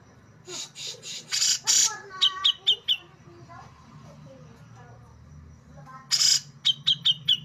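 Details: A male Brown-cheeked Bulbul kept for contests makes harsh rasping bursts (besetan) and a few sharp notes, then falls quiet over a low hum, then gives another rasp and a run of clipped notes.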